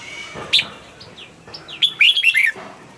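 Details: Red-whiskered bulbul kept in a cage, its song used to excite other birds: a few soft whistled slurs, then a loud, fast, jumbled phrase of bright, bubbling notes lasting about half a second.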